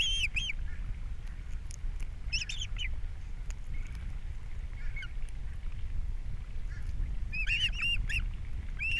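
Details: Ospreys at a Captiva nest, April 3, 2022, male delivering fish for breakfast and female feeding young: scattered short, piercing whistled chirps in three brief clusters separated by gaps, with constant low wind-like rumble.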